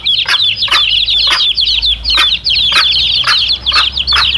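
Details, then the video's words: Domestic chicks peeping together beside their mother hen, a sound meant to attract wild male junglefowl; shrill overlapping cheeps run nonstop while crisp clucking ticks arrive about every half second, with a faint low rumble underneath. "SUARA ANAK AYAM DAN INDUK NYA"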